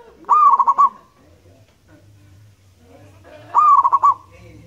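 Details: Zebra dove, local and wild, repeating its song twice about three seconds apart: a lifted opening coo, then four or five rapid bubbling pulses, over a faint low hum.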